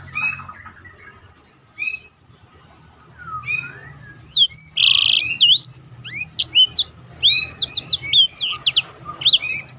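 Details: Black-throated canary song for training competition birds: sparse soft notes early, then a loud fast run of buzzy notes, trills and sweeping whistles.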